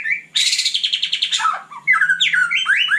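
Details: White-rumped shama at night opens with a fast, buzzy rattling series, then shifts into clear whistled notes that slide down and rise again.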